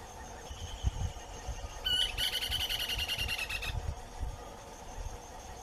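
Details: Short-crested flycatcher from the Atlantic Forest: after a short accented note, a fast, rattling, slightly downslurred trill runs for about one and a half seconds amid quiet natural background sound.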